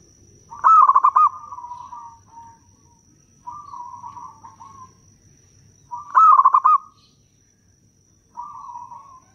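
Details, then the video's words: Zebra dove, local type, singing loudly as a lure to draw wild doves. Two bright, rapidly pulsed cooing bursts are each followed by a quieter, drawn-out rolling coo from an answering bird. Faint low hum throughout. "Perkutut lokal gacor suara bagus - pancingan perkutut paling jitu"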